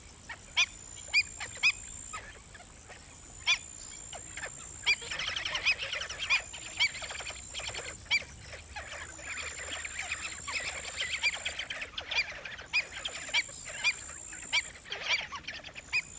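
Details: Black-winged stilt giving sharp, nasal yapping notes, repeated irregularly and sometimes in quick bursts; a lure recording of a rice-field and swamp bird.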